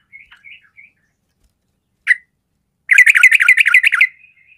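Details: Sooty-headed bulbul of the 'garuda' fighter type, its call meant to spark fighting emotion in idle birds: a few soft chirps, one sharp note, then a loud rolling stream of rapid, scratchy, bubbling notes over a second long.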